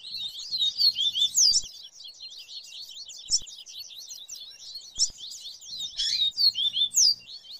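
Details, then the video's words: Rusty-collared seedeater singing in the viviti song style amid a lively chatter of papa-capim seedeaters; dense, fast high twittering of short slurred and rising notes runs throughout, with a faint low hum in places. "Canto Viviti Com Baderna de Coleiro e Papacapim!!!"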